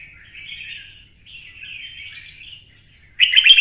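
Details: Red-whiskered bulbul, twisted-voice style, kept caged and excited to sing for fighting: soft drawn-out warbling phrases, ending in a sudden loud, harsh, rapid burst.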